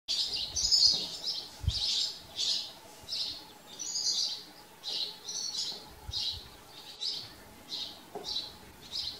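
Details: House sparrows living at a farm: a steady run of short, bright chirps repeated roughly every second, each a brief burst, with faint low rumbles beneath.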